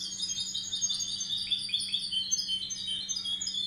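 A goldfinch hybrid sings a fast, unbroken run of high, tinkling twitters and liquid trills, with a faint steady low hum underneath.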